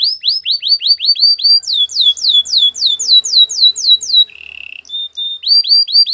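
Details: Canary song for training, loud and clear: rows of quick dropping whistles, a short low buzz, then a flat tone and more descending notes.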